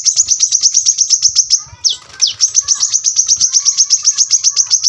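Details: Rapid high-pitched trill from a brown-throated sunbird, sharp ticking notes about four per second, broken midway by a quick downslurred note before the dense run resumes.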